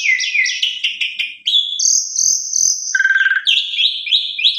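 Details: Asian pied starling lure song for prompting other starlings: quick repeated falling whistles, a long high sustained whistle, a fast low buzzy trill, then more bouncing whistled notes.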